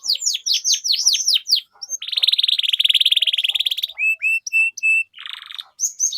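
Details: Canary song meant as a tutor lure for young canaries learning sounds: rapid down-slurred chirps, then a long buzzy rolling trill, followed by clear separate whistles and a short rattle.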